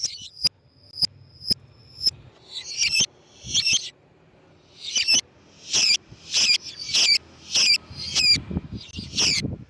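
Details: Lovebird calling, used as a lure for other lovebirds: a run of sharp thin high chips, then a denser series of harsh squeaky bursts that get quicker and louder toward the end, with low rumbling noise in the background.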